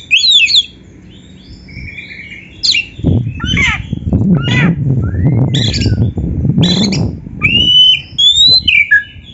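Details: White-rumped shama singing scattered whistles and harsh squawky notes, with a loud low rumbling noise through the middle part.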